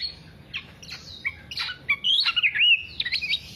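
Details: Black-naped oriole singing nonstop, used as a lure and master recording for songbird keepers: scattered high chirps building into a run of bright, looping whistled notes near the end, with a few harsher squawky accents.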